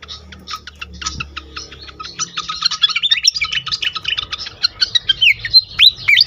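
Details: Pied fantail heard in a lure track meant to trigger song in others: spaced sharp chips speed up into a busy jumble of squeaky twitters, then a few loud slurred whistles dipping and rising; low hum at first.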